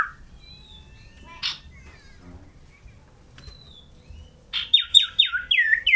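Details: Scarlet-headed flowerpecker in full song, hopping about and singing loudly; after quiet scattered chips, a run of six loud, high notes each sliding steeply downward, repeated quickly in the last second and a half.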